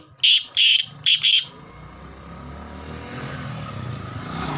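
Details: Black francolin, kala teetar of the Sheedi Lakka type, giving a quick series of four harsh, buzzy rasping notes in two pairs, followed by a steady rumble of passing traffic or engine noise.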